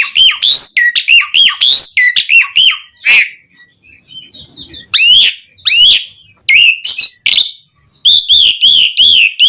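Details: Vigorous Javan pied starling singing, meant to prompt other starlings to sing: repeated loud whistles that rise then drop, with buzzy overtones, a short pause in the middle, then a rhythmic series of similar whistles.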